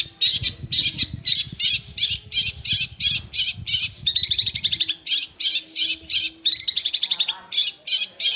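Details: Long-tailed shrike delivering its fast rolling song, likened to a sewing machine, mixed with sparrow-style notes: harsh high chips repeated rapidly in a steady beat, broken by a short dense trill midway. Faint low rumble.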